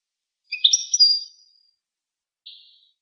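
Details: A goldfinch sings one bright, jangling phrase of high trilled notes lasting nearly a second, followed by a softer buzzy note after a pause.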